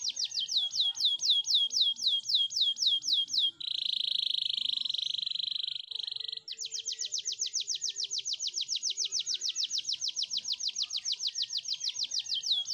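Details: Canary song for training: repeated swooping notes, then a steady buzzy roll of about three seconds, followed by a long very fast rhythmic trill.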